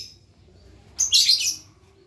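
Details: Lovebird practising ngekek, the long trill: after a quiet moment, one loud, grating burst of high chirping lasting about half a second.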